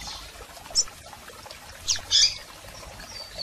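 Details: Female and male double-collared seedeater calls for stimulating a male: a few short, high, sharp chirps, one early and two close together near the two-second mark, over quiet background.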